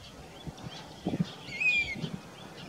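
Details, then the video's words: Grey-bellied cuckoo singing in Rajasthan, India, a summer migrant: one thin whistled note, held then gently falling, stands out over soft low rumbling and scattered faint background noise. "Grey bellied cuckoo singing"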